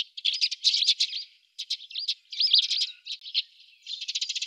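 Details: Eurasian tree sparrows at a fat ball feeder in winter, Budapest, 17 December 2010, chatter in bursts of bright, overlapping chirps separated by brief pauses, ending in a quick, dry rattling series of notes.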